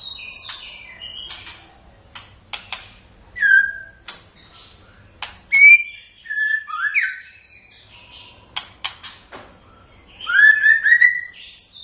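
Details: White-rumped shama song in spaced bursts: sharp clicks and snaps between clear slurred whistles, ending in a loud rich whistled flourish.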